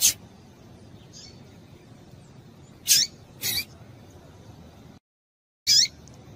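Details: Female double-collared seedeater calls used to excite males: a few sparse, sharp high notes and one clear downward-sliding chirp near the end, with a brief dead-silent gap between them.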